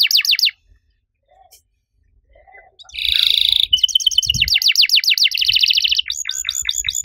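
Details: Active 'riwik'-style canary song with long 'cuit cuit' bursts, meant to set other canaries singing: a few steep falling notes, a quiet pause, then a dense buzzy roll running into a fast string of descending chirps.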